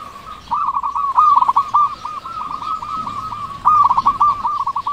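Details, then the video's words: Local zebra dove with a big voice, calling steadily, used as a lure to get slow-calling doves singing: a series of rapid, rolling, stuttered coos on one even pitch, with a short pause partway through, over faint background hiss. "Perkutut lokal gacor suara besar cocok untuk pancingan perkutut yang malas bunyi"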